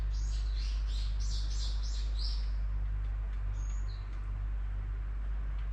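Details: A bird gives a quick series of about six sharp, high chirps in the first two seconds, then a couple of scattered notes, over a constant low hum.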